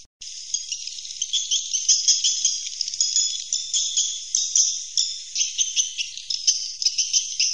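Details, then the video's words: A dense, steady chorus of many swiftlets giving high, bright, overlapping chirps and twitters, faintly tinkling without pause; a swiftlet lure call. "Suara Inap Walet"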